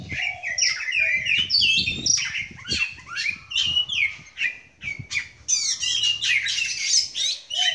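An Oriental magpie-robin sings a fast, varied run of clear whistles, slurred rising and falling notes and scratchy chatters, with barely a pause between phrases.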